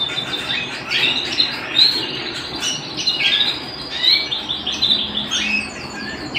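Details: Canary at home singing energetically: bursts of rapid chirps and rolling trills rise and fall in loudness, with bright whistled notes scattered through the phrases.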